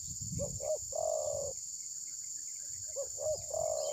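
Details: Spotted dove serving as a trapping decoy, refusing to strike, possibly in moult, captured by phone: two short low notes leading into a drawn-out coo, a pause, then the phrase again, with a low rumble and steady insect drone.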